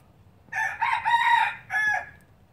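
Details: Crow of a pure Laos red junglefowl breeder from 2016: a hoarse, broken cock-a-doodle sequence with a short opening burst, a sustained strained middle phrase and a closing note, against low steady background rumble.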